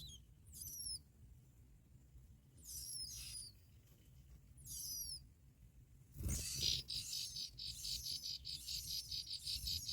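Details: Bar-winged prinia nestlings being fed black locusts by both parents. Several separate high, falling whistles, then a loud burst of rapid, buzzy, pulsing chatter mixed with thin high notes.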